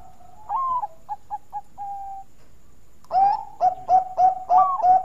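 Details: Melodious song of a Bangkok-type zebra dove used as a lure: one phrase of long coo, short staccato notes and a held note, followed by a louder, richer run of rapid rolling coos.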